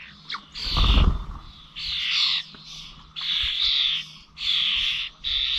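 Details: Common starlings recorded on 21 November at Corby old village bird feeders: rough, buzzy squawks roughly one per second, about half a second each, with a low thump near the start.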